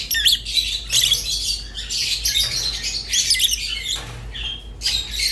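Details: Rosy-faced and Fischer's lovebirds twitter in shrill, buzzy phrases, with squeaky whistled notes breaking through the busy high chatter.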